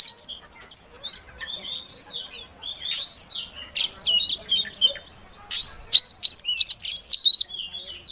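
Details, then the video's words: Oriental magpie-robin female calling to encourage a non-singing male, opening with varied scratchy chirps and buzzy notes, building to a loud series of repeated sharp whistled phrases near the end. "Suara Kacer Betina Untuk Pancingan Kacer Jantan Yang Macet Bunyi Agar Gacor"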